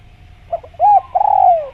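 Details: A single spotted dove phrase from a natural jungle recording: soft stuttering opening notes, one rounded arched coo, then a long burred note sliding gently downward.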